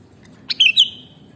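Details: Sooty-headed bulbul (kutilang) song from a mastering recording: a sharp high chip followed by two clear, slurred whistled notes that dip downward, in a short bubbly phrase over a quiet background.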